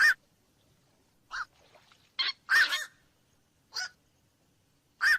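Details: Black-crowned night herons uttering gruff, barking kwak notes spaced a second or more apart, including one longer, drawn-out rasping call in the middle.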